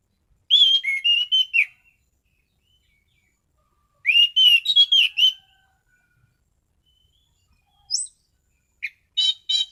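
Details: Caged anis cendana (orange-headed thrush) delivering dense song variations at high volume. Whistled phrases of rising and falling notes come in bursts a few seconds apart. They finish with scattered high chirps and buzzy notes.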